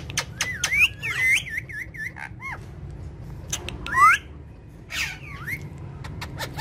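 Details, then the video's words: Pet parrots playing with each other on a charpai: sharp squawks, a run of rippling wavy whistles, then scattered harsh calls and a few upslurred whistled notes. "So Funny And Cute Parrot Of Talking Parrot Family"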